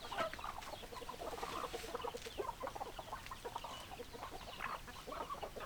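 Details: Flock of chickens clucking steadily, quick repeated mid-pitched notes overlapping throughout, with low background rumble.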